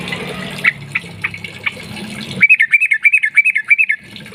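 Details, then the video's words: Sooty-headed bulbul singing in the rapid 'ropel panjang' style, played as a lure to prompt other bulbuls to sing: after a noisy, low-humming start with scattered chirps, a fast run of about twelve bright, bouncing two-note chevrons. "burung trucuk gacor ROPEL PANJANG"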